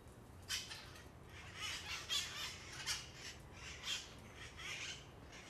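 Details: Noisy parrots from a Bay Area colony near Coit Tower, Telegraph Hill, San Francisco: a steady stream of moderate, scratchy screeches every half second or so, several calls overlapping.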